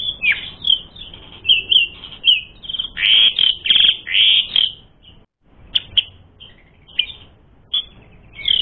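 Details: Continuous whistled song of an Asian pied starling, used to provoke fighting: clear high notes and loud harsh bursts in the first five seconds, then a brief silence and scattered single whistles.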